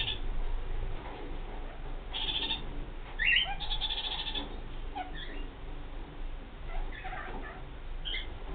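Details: Kakariki, a New Zealand parakeet, giving harsh, buzzy bursts of chatter, one long burst then several shorter broken notes scattered across the clip, over a steady low background rumble.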